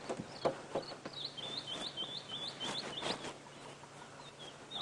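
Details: White-browed Scrub Robin calling vigorously at sunrise on 20 August 2016 during a morning safari drive near Djuma, giving a quick run of high, thin, whistled notes in a steady stream over soft knocks and rustling; a golden-breasted bunting was also heard calling.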